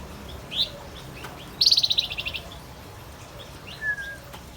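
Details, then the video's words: Male Javan white-eye in active song: a short high chirp, then a fast, ringing, pulsed trill lasting under a second, followed by a faint falling whistle, over a quiet background. "Suara burung Wergan Jawa"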